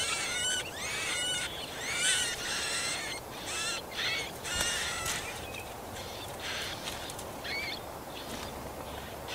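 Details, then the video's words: Marsh warbler nestlings calling as an adult feeds them, Kalinovsky forest park, Yekaterinburg, 30 June 2020; loud harmonic rising calls in bursts about every two seconds, fading over time with soft noisy rustles. "Как Камышовка кормит птенцов, Болотная камышовка"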